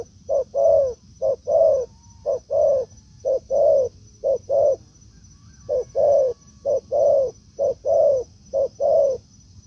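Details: Wild and decoy spotted doves meeting in forest; repeated husky coo pairs, a clipped syllable before a longer mellow one, in two runs with a brief pause, and a thin steady whine in the background.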